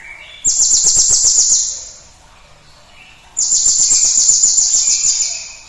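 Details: Lure song of a cinereous tit, used to stimulate other birds: two bursts of a very high, rapid, rattling trill, each about 1.5 seconds long, separated by a quiet gap with faint background chirps.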